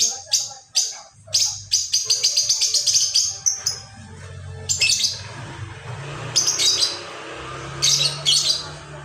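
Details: Lovebird giving the ngekek song, played as a pancingan bait recording: bursts of rapid, high, scratchy chattering notes, some runs lasting about two seconds, separated by short pauses, with a faint low hum underneath.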